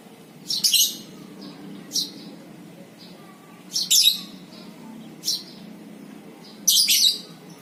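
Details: Lovebird sounds meant to lure other lovebirds into ngekek; sharp, high, squeaky chirp bursts repeated about every one to two seconds, irregularly, over a soft background hum.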